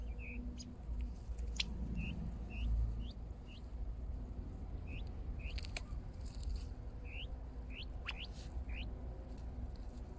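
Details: Hand-fed harlequin quail (Coturnix delegorguei) giving thin, high peeping notes, each a quick slurred hook, repeated irregularly about once a second over low rumbling and handling noise.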